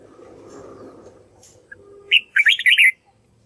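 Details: Red-whiskered bulbul practising its song to teach white-cheeked birds: a brief, loud burst of rapid warbled notes comes in after a stretch of low, rumbling background noise.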